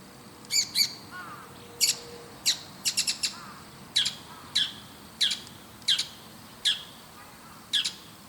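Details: A Bull-headed shrike in the morning, high in a tall tree looking around, gives loud, harsh, high-pitched notes about once a second, some in quick double or triple bursts, with faint softer murmuring chirps.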